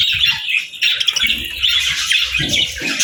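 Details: Budgerigars, happy birds, chirping: a continuous high warble of grating chatter and squeaky notes with no breaks, over soft low background thuds.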